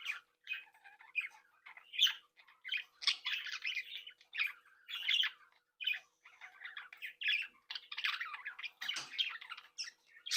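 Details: Australian budgerigars of a captive breeding group, cheerfully tweeting, singing and mimicking as they interact. Quick chirps and warbled phrases come in rapid clusters, with several harsh squawks and near-constant chatter.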